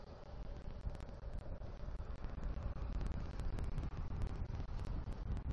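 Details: Buffeting low wind rumble with scattered sharp crackles and clicks, and no distinct animal calls.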